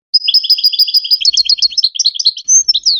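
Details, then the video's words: A Moroccan goldfinch sings a quick, bright twitter of high tinkling notes in lively bursts, with a few thin buzzy trills near the end; a song meant for teaching hybrid chicks and goldfinches. "The best singing to teach hybrid chicks and goldfinch"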